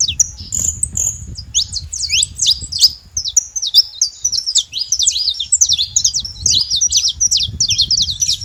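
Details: Wild saffron finches out in nature give a busy, twittering song of rapid high chirps and looping sweeps, strung together in dense phrases over a soft low background hum.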